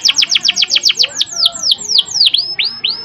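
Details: Canary singing for training: rapid sharp downward notes that slow into longer downward-then-rising whistled slurs, evenly repeated, high-pitched and clear.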